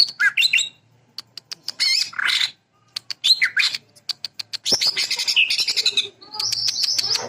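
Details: Greater green leafbird bursting out with sewing-machine filler, bright chattering phrases broken by short silences, strings of sharp ticks, and a sustained high twittering trill at the close.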